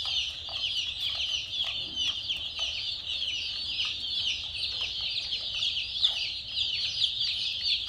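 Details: A crowd of chicks gives constant shrill peeping, overlapping cheeps blending into a steady high chatter, with a low background hum throughout.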